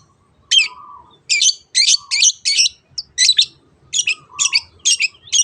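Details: Long-tailed shrike singing in the 'teot teot' style, played as a lure to get other birds singing: short, harsh, high chattering bursts about twice a second, with a few soft low whistles slurring downward between them.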